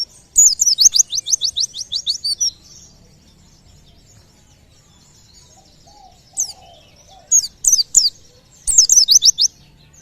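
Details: White-eye (pleci) song used to provoke nearby birds into singing: an opening rapid trill of repeated high descending notes, a long pause, then scattered sharp chirps and a closing burst of swept whistles.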